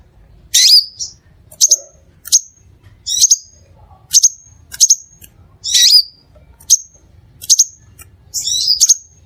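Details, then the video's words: Crimson sunbird (Aethopyga siparaja) lure recording used to prompt other sunbirds to sing: about eleven sharp, very high chips, each a quick down-slurred note with a thin whistled tail, spaced irregularly about a second apart. "SUARA PIKAT DAN PANCINGAN BURUNG SEPAH RAJA"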